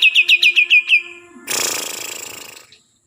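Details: Kalimantan green leafbird giving seven rapid, clear, downslurred whistles in about one second, followed by a long, loud, harsh rasping burst that fades out.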